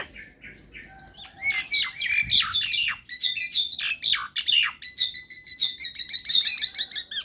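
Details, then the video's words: Myna lure recording played to draw replies from other mynas: dense high chatter of squeaky whistles and harsh squawks, with sharp rising notes, and busy rapid notes toward the end. "PANCINGAN / MASTERAN SAKTI UNTUK SEMUA JENIS JALAK, JALAK APA SAJA AKAN NYAUT | MYNAH BIRD"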